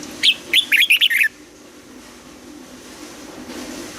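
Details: A red-whiskered bulbul's morning double-note song: a quick phrase of about six loud warbled whistles in the first second, then near quiet, and one more note at the very end.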